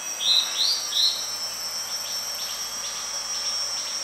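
Yellow-bellied Bulbul giving three quick, slurred high notes in the first second, then fainter repeats, over a steady high insect drone.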